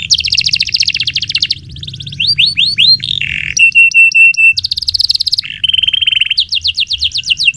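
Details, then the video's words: Canary song in long, rolling style for training magpie robins: dense buzzy trill, sweeping upslurred notes, a flat steady whistle, another buzzy roll and fast repeated descending notes at the end. "Kenari Gacor Panjang utk Masteran Murai Batu Full Isian, Canary Singing"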